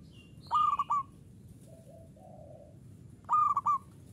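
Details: Zebra dove of a local strain giving its ngayer-style song: two bursts of rapid, rounded coos, each a quick run of three or four notes about three seconds apart. A faint lower warble sounds in between.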